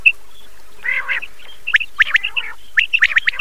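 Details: Common quail calls for Chand Raat night, opening with a soft harsh burst, then crisp three-note phrases of clipped whistles repeating in quick succession, with faint chirps in the background.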